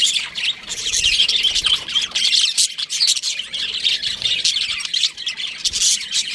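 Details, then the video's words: ['Aviary of baby budgerigars chattering together: busy overlapping high chirps, squeaks and harsher squawks, fluctuating in loudness without pause.'] "Baby Budgies Chirping Sounds"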